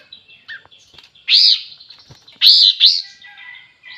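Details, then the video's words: Sooty-headed bulbul singing vigorously: clear, ringing whistled notes in quick pairs, arching up and down, with softer chatter and faint clicks between the phrases. "Suara Burung Kapas tembak Super Gacor"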